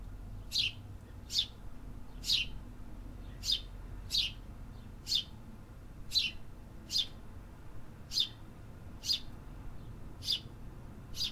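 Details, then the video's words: Birds of the city heard singing: a series of crisp high chirps, about one per second, fairly regular, above a soft low hum of urban noise. "Urban Birds Sound Effects -- Hear the activity"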